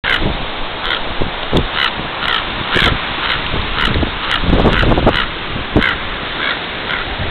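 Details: Very agitated common raven on Baker Beach, San Francisco, on June 27, 2010, apparently guarding a nearby nest. Short, hoarse caws repeat roughly every half second to second over heavy, roaring wind and surf.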